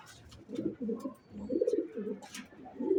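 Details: Racing pigeons producing a brief run of low, burbling coos that swell and fade in quick succession.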